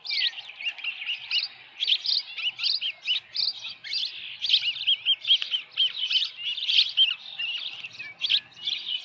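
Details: Osprey calling at the Dunrovin Ranch nest, 10 June 2018, evening, headless fish at the nest; a steady, moderately loud stream of high, squeaky chirps and whistles running without a break.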